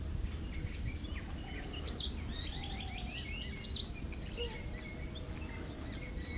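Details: Greater racket-tailed drongo at End Point, Manipal, giving sharp, high metallic notes about every two seconds among varied chirps and whistles, over a low rumble of background noise.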